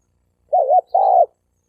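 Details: Wild male spotted dove giving a fighting challenge to rival males, from 2020: a two-part coo, a wavering stuttered note then a steady, even note of similar length, on a clean background.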